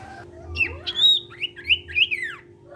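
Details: Cipow-type ashy tailorbird, a sirtu in full song meant to prompt other sirtu birds to join in, gives a run of high whistled notes that rise and fall, with a soft low hum underneath.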